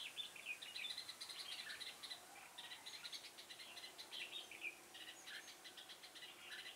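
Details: A trapped red-whiskered bulbul gives bright, chattering whistled phrases in quick bursts, overlapping with other chirping birds and a faint insect hiss.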